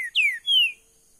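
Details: Caged green-winged saltator: two clear, high, whistled notes, each sliding downward, given in quick succession and followed by silence.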